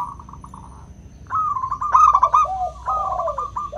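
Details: Local zebra dove with a clear 'crystal' voice, used as a lure to prompt doves that rarely sing. A soft quavering coo opens, then loud rapid trilled coos around a steady pitch with a lower second dove overlapping.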